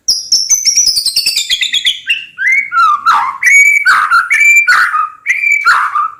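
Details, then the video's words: White-rumped shama song meant for tutoring other birds: a fast descending series of high whistled notes, then loud looping whistled phrases with mellow lower tones, repeated about once a second. "MURAI FUL ISIAN PAS UNTUK MASTERAN"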